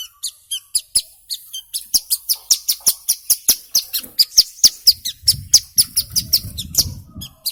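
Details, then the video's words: Hill prinia in full active song, used as a lure for young birds: sparse high chirps quickly build into a steady, rapid series of sharp, bright notes, about four each second, over a soft low rumble near the end. "Suara Asli Ciblek Gunung Gacor"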